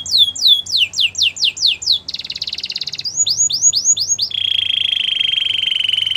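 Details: Canary delivering a training song: around eight falling sweeps, a harsh buzzy rattle, another run of sweeps, then a steady even trill to the end over a soft low hum.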